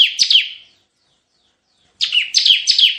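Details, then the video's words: Ciblek (Bar-winged prinia) singing 'tembakan' for lure and tutor use: a short run of high, slurred chirps, over a second of silence, then another burst of four bright downward notes. "Masteran suara tembakan CIBLEK GACOR untuk pikat dan masteran"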